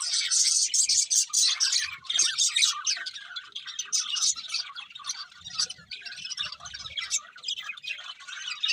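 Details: Budgerigars singing as they feed: rapid, uneven high chirps and squawky notes about twice a second over a steady twittering background, some faint low rustles.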